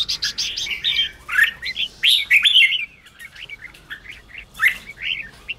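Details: A red-whiskered bulbul sings lively, uneven phrases of warbled and fluty notes. The song is used to excite newly caught and low-spirited bulbuls in the ché style, and it fades to softer chatter toward the end.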